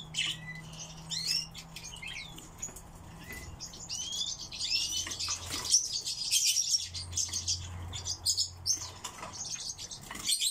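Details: A captive pet song thrush sings high, varied phrases of chirps, squeaks and short whistles in quick bursts, over a low steady indoor hum.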